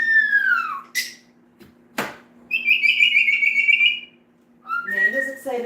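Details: Pet parrot in a household flock, excited about dinner as its owner cuts corn indoors; a falling whistled note, a sharp click, then a steady high shrill tone and rising squawky notes, with a woman speaking softly.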